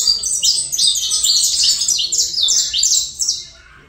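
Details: Colombian saffron finch singing a lively, tumbling phrase of sharp, high chirps packed closely together for over three seconds, then falling silent.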